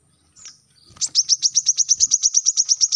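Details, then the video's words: Brown-throated sunbird used as a training master for captive birds: after a soft opening note, a fast, steady series of sharp high chips begins in the dense 'tembakan rapat' style. "Tembakan rapat | Kolibri kelapa | manggar | wiceh | suara pancingan | masteran untuk burung bahan"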